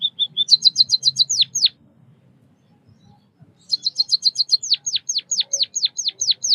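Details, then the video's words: Chirping of a white-headed munia (bondol kaji), a Southeast Asian finch: a brief level trill and a quick series of high notes, a drop into chirps, about two seconds of near silence, then a long string of high notes and sharp downward-sweeping chirps. "Suara kicauan burung Pipit emprit Bondol kaji gacor 323 | Bird chirping sounds | white headed munia"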